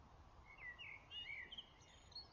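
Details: Wild birds in the dawn chorus at a Carmelite monastery in Kilmacud, Dublin, on 24 April 2014: faint high chirps and short rising-falling whistles overlap in quick succession over a low steady background hum.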